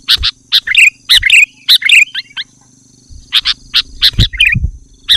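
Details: Loud, rapid song of a sooty-headed bulbul meant to draw in wild bulbuls and rouse rivals: short warbled whistles mixed with harsh clicking notes, then a pause before scattered clicks resume.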